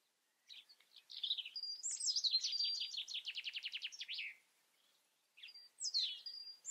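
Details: European robin singing: thin, high warbled notes and short whistles, then a fast, evenly pulsed trill of about twenty notes lasting two seconds, a brief pause, and a final high twittering phrase.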